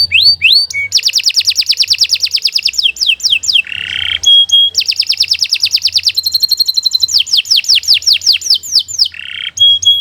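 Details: Canary song used as a tutor for young birds: fast rolling trills of downslurred notes broken by a low buzzy phrase and short whistles, repeated in vigorous bursts.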